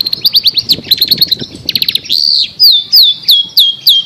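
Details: Long-tailed shrike chirping in a master bird recording: fast rattled chirps at first, then clear falling whistled notes repeated about every third of a second.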